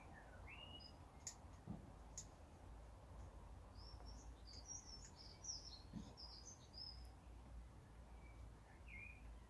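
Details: Common starling calling: a few rising whistled notes, then a dense burst of high, squeaky, chattering notes in the middle, with steady low background rumble.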